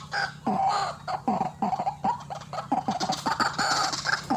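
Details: White-breasted waterhen used as a trapping lure. Croaking calls sharpen into a fast, stuttering series of harsh notes.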